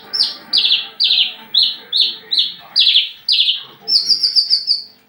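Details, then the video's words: Javan bush lark ready to mate, wing-fluttering and showing its crest to another lark. A steady run of bright, falling chirps about twice per second, then a thin, fast, high trill at the end. "branjangan lagi over birahi minta kawin"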